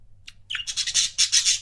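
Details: Pet budgie couples give a brief, loud burst: a single tweet, then a rapid rasping chatter of high notes.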